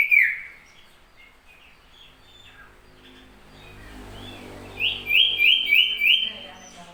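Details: Common iora, described as singing keenly both day and night: a brief sharp whistled note opens, then a stretch of low background rumble and faint murmuring, before a bright run of four or five rapid slurred whistles near the end.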